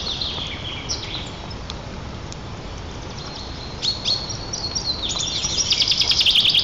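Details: A returning female white-tailed eagle and her mate greet each other at their nest in Nizhnyaya Kama National Park, Tatarstan, on 7 April 2024, with thin, high yelps quickening into a fast, shrill kli-kli-kli series, before the male flies off, over a steady hiss.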